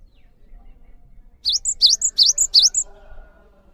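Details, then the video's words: After a quiet pause, a Cinereous tit bursts into song for training other birds: four rapid phrases, each a rising whistled note followed by a higher, thinner note, strung evenly over about a second and a half. "GELATIK BATU GACOR ANTENG UNTUK MASTERAN"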